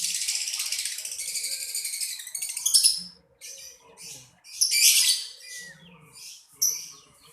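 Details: Lovebird giving a long, dense, high-pitched chattering trill that breaks into separate shrill squeaks and harsh chirps, with short pauses between bursts.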